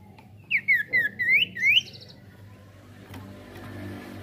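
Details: Sirtu singing busily in a rolling variation meant to make other birds sing: a short run of wavering, rising and falling whistled phrases, then background hum and traffic-like noise.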